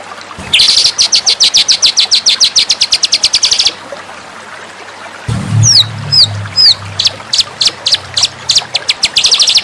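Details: White-rumped shama song used as a master training recording: a three-second burst of rapid, evenly repeated high notes, a pause, then sharp downslurred whistles and clipped notes before another fast run, over a faint low hum.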